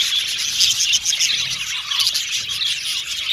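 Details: Male budgerigars, blue and violet birds kept in an aviary colony, produce a crowded high-pitched twitter: quick chirps, squeaky notes and warbles layered continuously over a faint low hum.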